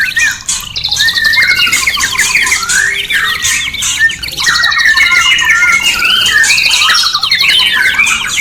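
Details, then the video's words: Song of a white-rumped shama used to prompt caged birds to breed, a fast, unbroken medley of trills, twittering and whistled slides, loud and steady throughout. "pancingan suara murai cepat birahi dan kawin terbaik saat ini"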